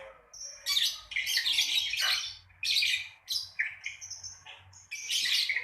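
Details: Lovebird producing ngekek to prompt other lovebirds to sing. Several harsh, shrill chattering bursts alternate with brief high piping notes, and there is a faint low hum underneath.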